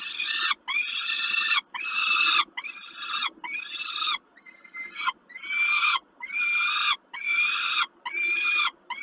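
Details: Peregrine falcon during a snack at Kawęczyn, 20 05 22: a series of grating, strained screeches, roughly one each second, some louder and some fainter, with short quiet breaks.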